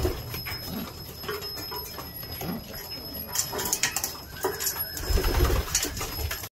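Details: Homing pigeons at their morning meal give soft, low, throaty coos, half buried under clattering, scraping and pecking noises in an enclosed space. Domestic pigeon.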